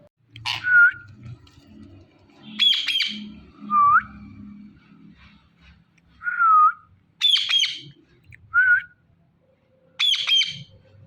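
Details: Talking Indian ringneck parrot alternating short, clear, dipping whistles with sharp, high squawks. The phrases come in separate bursts a second or two apart against a quiet background.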